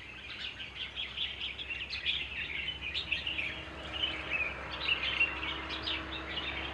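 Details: White-cheeked or Himalayan bulbul at a drinking spot in the Margalla Hills near Islamabad, Pakistan; a dense, continuous stream of sharp, high chirps and twittering notes, steady throughout, with low background hum.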